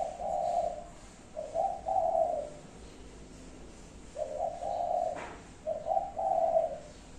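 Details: Five-note cooing of a spotted dove: four low, mellow coo phrases in two pairs, each a brief lead-in note then longer soft coos, with one short click in between and otherwise calm surroundings.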